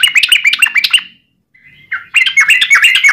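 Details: Sooty-headed bulbul lure song: quick bubbly chattering notes, a brief pause with a soft drawn note, then another fast run of liquid notes.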